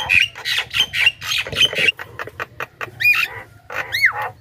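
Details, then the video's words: Javan myna lure sound to pull in wild mynas: quick harsh squawks with bright whistled tips, then two loud descending screechy notes near the end over a faint low hum. "suara burung pikat jalak kebo gacor,suara pas untuk pancingan jalak ombyokan,responnya cepat"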